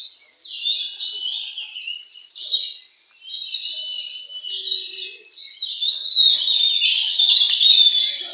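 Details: Competition song of an Oriental magpie-robin: separate high whistled phrases of a second or so, broken by short gaps, building into a dense, loud, continuous warble toward the end.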